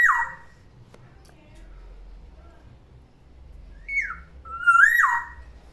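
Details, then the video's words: A caged pet black-naped oriole sings in the morning: a loud down-slurred whistle, a quiet gap, then a falling note and a swooping rising-then-falling fluty phrase. "OCEHAN BURUNG KEPODANG DI PAGI HARI, SUARANYA BIKIN ADEM"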